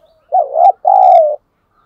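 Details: Spotted dove decoy calling to lure wild doves, thổ voice style. A faint low lead-in, then a loud quavering coo and a long, smooth, slightly falling second note.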